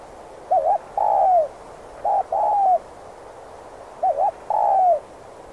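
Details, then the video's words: Trap-luring spotted dove repeating its 'thúc gù' coo: three phrases in quick succession, a wavy double note then a smooth, slightly falling coo, against faint steady hiss. "cu gáy Thúc Gù kích bổi ức chế mau gáy/dùng bẫy cu rừng hiệu quả"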